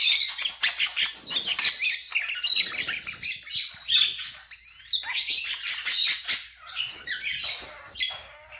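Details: A pet common starling, perched on a bed and trying to wake its owner from a nap, sings a dense, rambling medley of clicks, rattles, squeaky whistles and wheezy notes, nearly continuous and mostly high-pitched.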